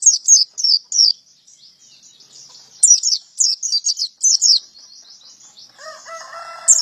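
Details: Male white-eye singing in high, thin twittering phrases of quick descending chirps, with a lower, nasal clucking sound from another bird near the end.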